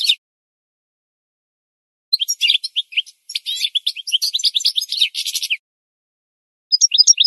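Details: Goldfinch song from a twelve-hour training recording for birds: after a short pause comes a long, fast, tinkling sequence of chirps, trills and buzzy notes, ending in a pause and a final short phrase.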